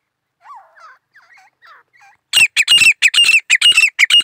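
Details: Soft, faint gurgling notes open, then a grey francolin bursts into loud, harsh, ringing calls repeated rapidly in short groups until the end.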